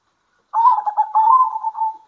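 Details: A single rolling zebra dove phrase at midday, from local birds calling back and forth. Fast stuttered coos smooth into a steady, humming tail over about one and a half seconds.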